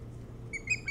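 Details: An osprey at a nest on Hog Island near Bremen, Maine, recorded by nest cam on 3 July 2018 between about 04:36 and 05:06, gives three short, high whistled chirps in quick succession over a low steady hum.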